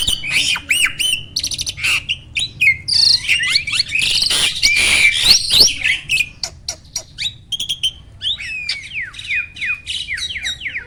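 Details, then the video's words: Energetic song of a black-winged starling, used to stimulate silent captive birds: clicks and harsh rasps give way to a loud noisy burst midway, then quick upslurred whistles and chattery notes, with short pauses between phrases. "SOLUSI UNTUK BURUNG JALAK MALAS BUNYI!!"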